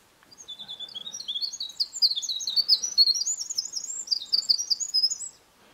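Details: Winter Wren singing in spring: a rapid, tumbling cascade of high, bright trills and twitters running about five seconds without pause, loud and clear over a quiet background.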